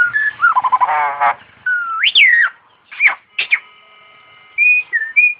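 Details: Starling performing an imitation of an ambulance siren: a rasping trill, then loud whistles arching up and falling, sharp downward sweeps and short level whistled notes separated by quiet gaps.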